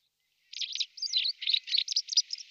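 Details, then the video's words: White wagtail giving a quick run of high, sharp twittering chirps, about a dozen notes in two seconds, with no other sounds. "White Wagtail"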